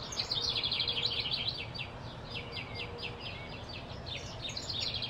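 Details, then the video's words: Blue-throated flycatcher in Arizona, giving a dense run of high, rapid chirps and buzzy twitters, louder at first then steady, with a faint low hum underneath. "field recording - blue-throated flycatcher arizona"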